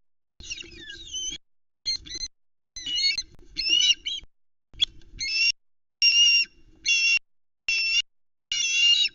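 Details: Young female ospreys, two sisters on a nest-cam nest at Loch Arkaig, around 20:00 on 11 August 2019, complain noisily as the male delivers only a tiny fish. Harsh, squealing bursts repeat about once a second, loud and rasping.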